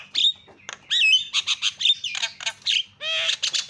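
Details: Javan myna lure calls meant to make other mynas call out: harsh squawks, buzzy chatter and a few sharp whistles, with a short burst of ringing harmonic notes near the end.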